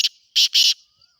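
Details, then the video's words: Black francolin in breeding season gives three loud harsh notes, a short one then two longer grating bursts almost joined, with a faint high hum underneath. "کالا تیتر کی آواز سیزن مستی کی بولائیاں"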